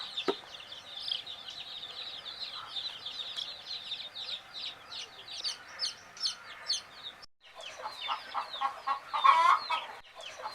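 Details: Chicks of a hen drifting to sleep, a busy chorus of high downslurred peeps, broken by a brief gap, then louder mixed peeps and a rustling sound.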